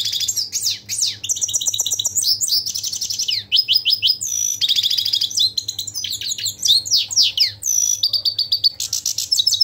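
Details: Nearly ten seconds of continuous European goldfinch song, liquid high twitters mixed with buzzy trills and quick downward-sweeping notes, tumbling on without pause over a faint low hum.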